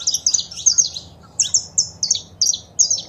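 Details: Female saffron finch calls and male song meant to stimulate a caged bird: bright high chirps in pairs, repeated about every third of a second.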